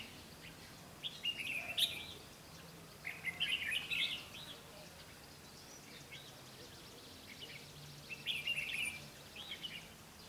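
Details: Red-whiskered bulbul at a trap site, 12 August 2016. Bright, jumbled chirping phrases about a second long repeat with gaps of several seconds, over a low steady background hum.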